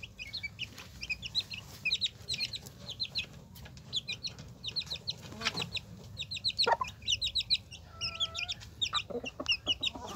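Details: Hen with her chicks: dense high chick peeps in quick bursts, many chicks calling together, with a short low cluck from the hen near the end.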